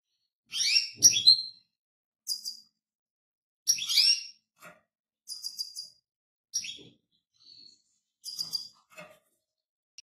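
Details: European goldfinch giving short bursts of high, scratchy twitters and rapid clicking trills, separated by pauses of about a second, with a single soft whistled note between phrases.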